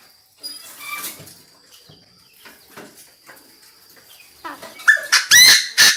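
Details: Chinese francolin used as a decoy, calling the flock: soft scattered notes and a faint high whine, then a sudden loud series of harsh, ringing, rapidly repeated grating notes at the end.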